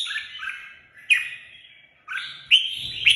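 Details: Red-whiskered bulbul kept as a pet bird sings short fluty phrases: a warbled opening, a sharp whistled note after a second, a quiet gap, then two loud bright rising whistles.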